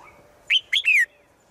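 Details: Female bird calling to a male: three loud clear whistled notes in quick sequence, the final one long and sliding down in pitch.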